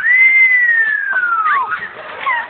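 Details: A parrot, asked to do a falling-down sound effect, mimics it: a long clear whistle sliding slowly downward, then dropping quickly to a soft splat-like finish.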